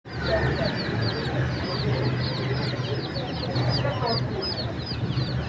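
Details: Crowd of chicks at a bird market giving dense, high, rapid peeping chirps, many overlapping short rising and falling notes, over a steady low hum and murmur of market noise.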